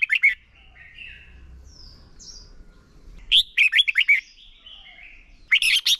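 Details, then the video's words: Red-whiskered bulbul lure bird singing a contest-style song for training: sharp clustered chirps, then softer drawn whistles, then renewed fast bursts of clipped notes, with low background rumble. "Chào mào mồi hót đấu quá tuyệt!! - Luyện giọng Chào mào hót hay ép bổi sổ bọng và căng lửa."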